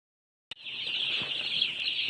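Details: Baby chickens: after a half-second of silence, a dense chorus of shrill, high-pitched overlapping peeps begins and continues steadily, with a few soft low knocks underneath.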